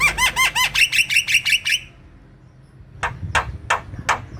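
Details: Kept black-winged myna singing the "gacor" style used to coax reluctant birds: about eight evenly spaced, rasping, chevron-shaped notes in quick succession, a brief pause, then four dry, clicking strokes.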